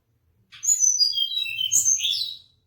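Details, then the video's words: Song of a mangrove blue flycatcher, a high, sweet whistled phrase stepping downward, then a second burst ending in lower buzzy notes, with a faint low rumble underneath. "mangrove blue-flycatcher bird"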